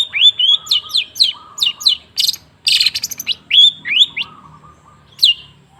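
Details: A long-tailed shrike's lure song for getting reluctant shrikes to sing. Quick upslurred whistles alternate with two harsh, noisy bursts and a lower drawn-out warble, ending in a single rising note.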